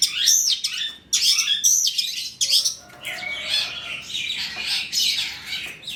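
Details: Long-tailed shrike (cendet trotol) lure song meant to set other shrikes singing; harsh, scratchy warbled phrases run together with rough, squawking notes and a continuous chattering texture.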